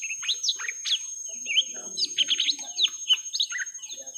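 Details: Young lesser green leafbird in a long fight with a rival: a quick jumble of high, sharply sweeping chirps and slurred whistles, rising and falling in rapid bursts over a quiet background.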